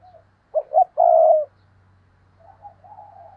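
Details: Decoy spotted dove in training, cooing to lure wild doves. Two short clipped notes lead into one long, low, steady coo, followed by softer, wavering cooing in the background.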